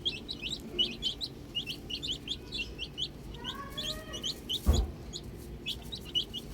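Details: Baby chicks enjoying the outdoors, many high chirps in dense overlapping bursts, plus a few lower drawn-out calls in the middle and a sharp thump near the end.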